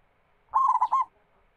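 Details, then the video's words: A single phrase from a local zebra dove (perkutut) singing as a lure for other doves: a half-second string of quick, throaty coos ending on a slightly falling note. "PERKUTUT GACOR MEMUKAU LAWAN"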